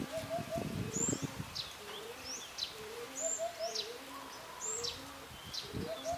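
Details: Male Eurasian hoopoe summoning the female to feed, a low hollow three-note hoot repeated roughly every two to three seconds, mixed with other birds' high whistles and a brief low rumble.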